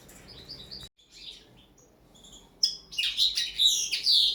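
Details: Common linnet in first training for table-style singing. It gives a few faint high chirps and scattered notes, then bursts into a loud, rapid twittering run of trilled and buzzy high notes lasting over a second.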